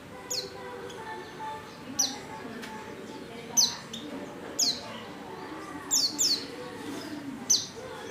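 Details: Female white-eye in heat calling for a male, uttering scattered high sliding chirps, sometimes in quick pairs, fairly faint over steady background noise.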